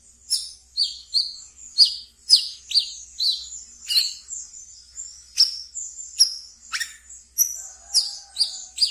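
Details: Wiceh, a small songbird kept as a pet, gives thin, very high, sharp chirps about twice a second in a lively chattering run, with a faint lower whistle near the end.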